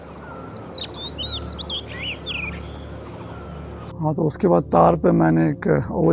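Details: Oriental Magpie-Robin perched and singing beautifully in summer oak and rhododendron forest of Madhmaheshwar Valley, Uttarakhand; varied clear whistled notes, rising and falling in quick succession over a low steady hum, then a man speaks loudly over the second half.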